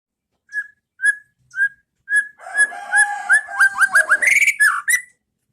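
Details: White-rumped shama song in the pastol ngeplong style, used as masteran to train caged birds to copy: four separate clear whistles, then a fast rush of rising and falling whistled notes with chattery overtones.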